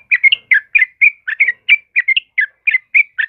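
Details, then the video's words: Caged-bird training recording of a lively singing yellow-vented bulbul, used to prompt and tutor other caged birds. Short bubbly whistled notes come in a steady stream, about three to four each second, with rising and falling slurs. "Suara Burung Trucukan Kebo Asli Gacor buat pancingan dan masteran"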